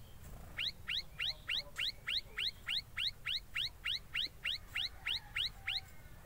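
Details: Ashy tailorbird calling as it builds its nest, giving a long regular run of quick, bright upward-sweeping chirps, roughly three each second, with a quiet low hum underneath and a short pause before the series begins.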